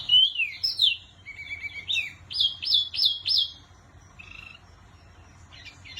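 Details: Clear wambi song: looping whistles and a level note, then four arched whistled notes in quick succession, followed by softer short phrases and quiet gaps.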